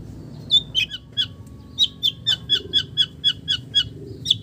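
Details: Long-tailed shrike song filled with imitations of village birds: a series of sharp, high whistled notes, roughly a dozen in quick succession with slightly uneven spacing, over a faint low background hum.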